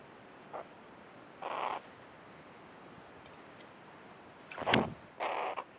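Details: Tame hooded crow at its bird bath gives harsh, hoarse caws, a brief note then a longer one, followed by a sharp knock or splash and another drawn-out grating caw.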